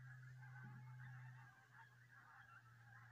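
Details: Massed honking of geese at Southerness on the Solway Firth, southern Scotland, behind a constant deep droning hum.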